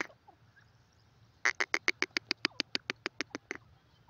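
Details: Grey francolin, known locally as dakhni teetar, calling: a quick run of about fifteen harsh, clipped notes, loud and evenly spaced over two seconds, after a short quiet lead-in with faint background hum.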